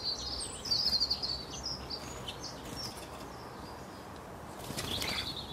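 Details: Starling: thin, high whistled chirps and twitters in a quick cluster near the start, fainter scattered chirps afterwards, then a brief rustling burst with more high chirping near the end over steady background noise.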